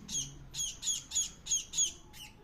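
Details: Hand-fed hungry bird begs with loud rasping squawks repeated about three per second, seven calls in a short even series.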